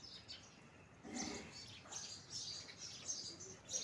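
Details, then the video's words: House sparrow giving short, high, bright chirps in quick irregular bursts, with a brief lower thump near the start and faint background hiss. "House sparrow sound | Sparrow chirping sound"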